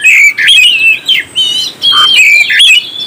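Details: Stirring song of an oriental magpie-robin meant to rouse other birds: three loud bursts of rich whistles, warbles and downslurred notes, with short pauses between phrases.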